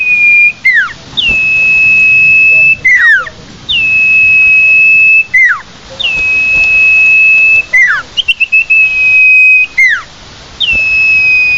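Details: Lure call of the common iora for attracting the bird: sustained steady high whistles, each lasting over a second, broken by quick falling slurred notes, repeated about every two seconds.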